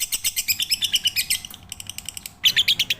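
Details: Lovebird full pigter song used as training material: quick bursts of squeaky, high chirps, a short softer pause, then a renewed loud chattering run.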